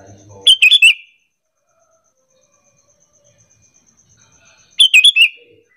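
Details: Lure call of a sooty-headed bulbul to entice other bulbuls to answer: two loud, rapid chirping phrases of several sharp notes separated by about four seconds of quiet.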